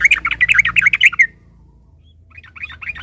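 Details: Sooty-headed bulbul provoked to sing by a rival's song: a fast run of bubbly, warbled notes for over a second, then softer chattering phrases after a pause.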